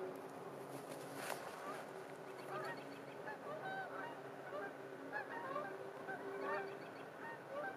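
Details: Winter sunset in a park with geese honking in scattered clusters, short bright nasal notes overlapping, one sharp knock early on, wind and distant road noise underneath.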